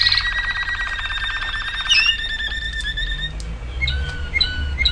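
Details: Waterslager canary delivering a rapid buzzy roll that breaks into a bright note, then sparse ringing whistles, over a low background rumble.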